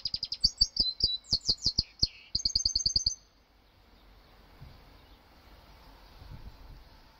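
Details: Canary x goldfinch hybrid (mixto) practising its song: about three seconds of bright, high chirps and quick buzzy trills in rapid bursts, a short rattling run at the end, then near silence with faint low background rumble.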